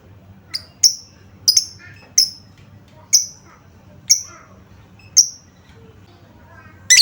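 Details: Lure sounds of a lovebird meant to prompt a quick response from reluctant birds: sharp, piercing single chirps spaced roughly once a second, each a brief high squeak, with a harsher burst at the very end.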